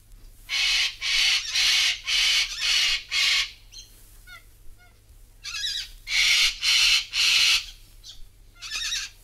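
Sulphur-crested Cockatoo giving harsh, grating screeches, about half a second each, in two runs of five, with softer chattering notes between.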